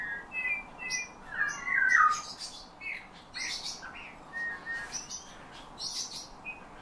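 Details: Song of a Eurasian bullfinch taught by its owner, mimicking the owner's whistle along with nightingale and thrush phrases; soft piping whistles that slide and fall, one louder descending warbled phrase early, then quieter short notes mixed with high twittering.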